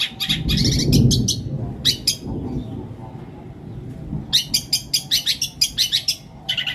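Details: Long-tailed shrike song packed with borrowed notes in greja petir and kuntilanak style, to coax quiet shrikes into song. Scattered high chirps, a low rumbling noise near the start, then a quick regular chirp series.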